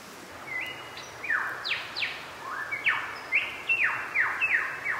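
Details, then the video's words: Lyrebirds singing in the background along Stony Creek near Cowombat Flat by the NSW border on a cold winter morning: loud, ringing whistles sweeping sharply downward, with shorter clipped notes between, in a rapid, varied run over soft noise. "You can hear the lyrebirds in the background."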